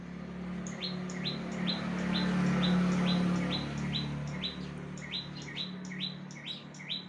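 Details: Energetic song of a bar-winged prinia: fourteen or so clipped, rising notes repeated about every half second over a loud, steady low droning hum that swells midway and then eases.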